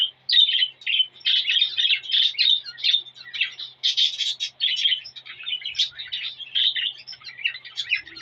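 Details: Male cockatiel singing to a female to stimulate mating; a dense run of chirpy, warbled whistles and squawky notes, in bursts of about a second with short gaps, continuing throughout.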